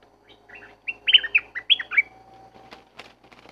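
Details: Wild red-whiskered bulbul in forest, lured with a decoy bird: a quick run of bright, warbled whistled notes bouncing around mid-high pitch, followed by a few clicks and rustles.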